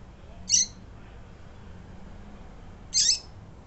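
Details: Calling to get males excited, a female double-collared seedeater utters two clipped, harsh high notes about two and a half seconds apart; soft background hum throughout.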